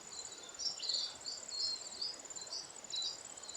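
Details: Lesser redpolls, mostly females, feeding on seeds in alder cones in winter in the Maungakotukutuku Valley, Kapiti, New Zealand, give short, buzzy twittering bursts roughly every second over a steady high insect-like hiss.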